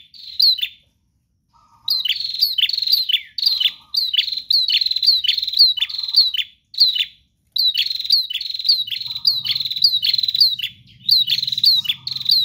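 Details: Bar-winged prinia singing persistently without pause: long series of fast, piercing chips and downslurred notes, about a hundred per minute, with short low buzzy notes between phrases and a faint low rumble late on.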